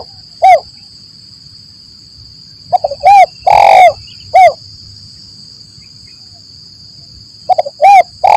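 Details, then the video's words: Spotted dove cooing as a trapping lure in the 'lambung kuk 1 mersik' style: a single coo, then a phrase of short stutters, a coo, a rough rolling coo and a closing coo, and after a pause another phrase begins; steady high insect drone throughout. "Suara Burung Tekukur Gacor || Pancingan Suara Tekukur Paling Di Cari Pemikat"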